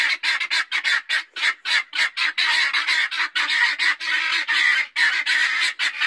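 Guinea fowl give harsh, grating cackles in rapid, uneven bursts.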